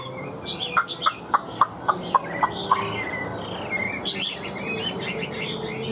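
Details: Caged Hwamei giving a string of about eight sharp, evenly spaced notes in under two seconds, then softer warbled whistles.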